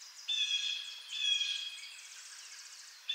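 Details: Blue jay giving two drawn-out, buzzy calls that sound echoing and smeared, with a short sharp call at the very end.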